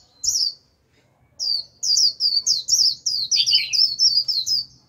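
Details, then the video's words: Japanese white-eye used as a lure for a wild flock, singing líu: an isolated high chirp, a pause, then a long, fast string of squeaky warbled notes with a lower dip near the end. "Vành khuyên mồi gọi bổi cực tốt, bổi đến cả đàn, bật líu theo."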